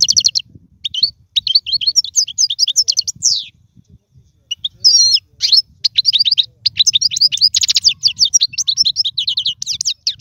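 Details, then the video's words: European goldfinch tutor song for young birds: continuous chattering twitter with trills and bright slurred notes, one brief pause midway, over a faint low rumble. "اسمع المقنين واعطي رايك فيه,افضل تغريد لتعليم الفراخ"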